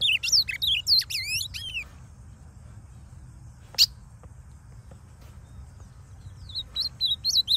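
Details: Wild ultramarine grosbeak, a masked male in its last moult to fully blue plumage, singing free in the forest with loud, clean song: a quick, sweet phrase of slurred whistles, then a sharp click and a softer second phrase over a low rumble.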